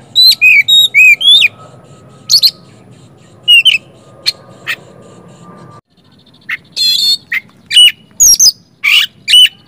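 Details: Oriental magpie-robin singing as a lure to set off silent magpie-robins. A quick series of rising and falling whistled slurs opens the clip, followed by scattered chips and sharp notes, then a buzzy rattle and further clear whistles.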